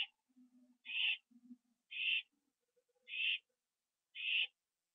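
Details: Owl at a nest on the night of October 9, 2011, after prey was brought in; four rough hissing bursts at steady intervals, with faint low murmuring sounds underneath early on.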